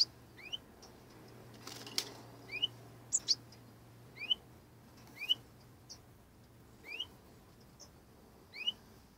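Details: Four young European goldfinches that have just left the nest together give thin, quickly rising chirps about every one to two seconds, with a faint low hum and a few soft clicks underneath.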